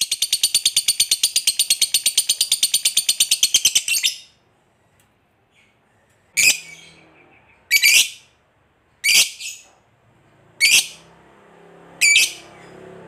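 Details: Lovebird giving a long trill used to prompt other lovebirds to sing: a rapid, even rattle of high notes lasting four seconds, then a pause and five harsh, shrill squawks spaced over eight seconds.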